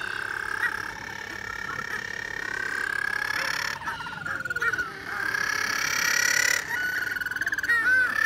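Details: Captive little penguins at a wildlife park in Sydney give loud, sustained harmonic braying calls with a pulsing, throbbing rhythm for most of the stretch, dropping briefly around the middle before resuming strongly, ending in a few sharp wavering notes.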